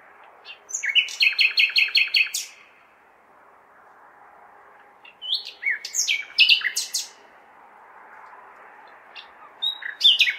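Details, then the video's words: Nightingale song recorded at night in May within a big city: a fast stuttering trill of repeated clicking notes, a pause, then varied sweeping whistles and chirps, and a final burst; soft traffic-like hum below. "Śpiew słowika (nightingale)"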